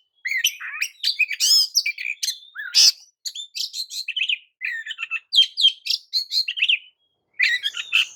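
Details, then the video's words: Oriental magpie-robin song used to provoke other magpie-robins into an emotional, aroused state: a clean run of varied sharp chirps, buzzy notes and whistled phrases in quick bursts, with short pauses between bursts and no background noise. "JENIS KICAU KACER TERAMPUH JADIKAN KACER AMAPAT LANGSUNG TERPIKAT EMOSI!"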